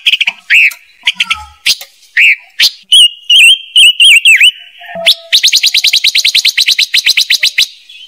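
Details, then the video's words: Silver-eared mesia lure calls for a trapping speaker. Loud wavering whistled notes come in quick phrases, then a long rapid run of sharp chattering chips fills the last three seconds. "Tiếng chim ngũ sắc mồi chuẩn | ngũ sắc kích bổi dùng cho loa bẫy"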